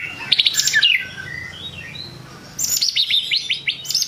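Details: White-rumped shama song used to rile rival shamas: a burst of bright chattering notes, a quieter pause, then a rapid series of high, sharply rising chirps.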